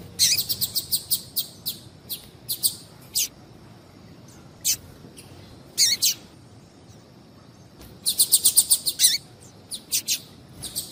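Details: Female double-collared seedeater calling insistently to attract males; bursts of crisp high chips alternate with pauses, with a fast run of notes near 8 seconds and slower scattered chips elsewhere.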